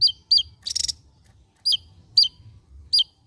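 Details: Javan white-eye, endemic to Java, sings ngebren-style: a fast rattling trill near the start, then single sharp falling chirps spaced roughly half a second apart.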